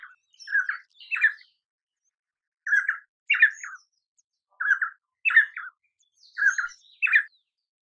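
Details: Painted spurfowl singing, a bird of rocky hill and scrub forest in peninsular India: repeated paired harsh, squawky phrases around 1–2k, each pair followed by a pause of about a second, four pairs in all.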